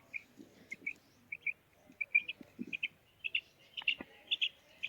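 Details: Calling female quail: soft, even whistled notes, mostly in pairs, repeated several times a second over low background rumble, with a few sharp clicks.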